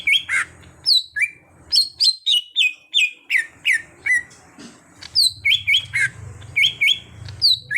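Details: Untrained greater green leafbird coaxed into vigorous gacor singing, a rapid run of clear whistled slurs and squawky chirps, some sweeping high then dropping, with a short pause mid-phrase and a low rumble in the background.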